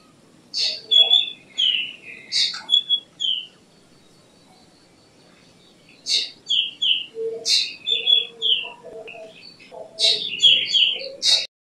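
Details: Black drongo in a run of sharp chattering notes mixed with brief whistles and clicks, in two bursts separated by a quiet gap of about three seconds, with faint low background sounds.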